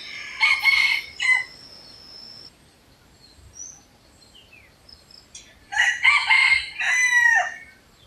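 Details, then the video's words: Two loud, harmonic crows of a red junglefowl (Gallus gallus), each a choppy, rasping phrase broken into short bursts, separated by about four seconds of quiet with a few thin chirps and a steady high tone. "Red Junglefowl (Gallus gallus) pure sound of birds singing"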